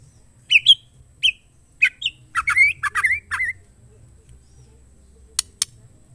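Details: Chattering female white-rumped shama, a call used to excite males to sing. A burst of short, scratchy chirps and rasping notes runs for about two seconds, some notes slurring upward. Two isolated clicks follow against near silence.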